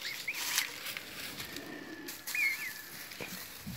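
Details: Newly hatched emu chick, zero days old, giving two short high whistled peeps that rise and fall, about two seconds apart, followed by a thin, steady whistle, with rustling and handling noise throughout.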